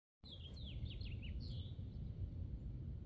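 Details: A male House finch sings a quick, jumbled warble of high slurred notes, mostly falling, lasting about a second and a half over a steady low rumble of wind or traffic.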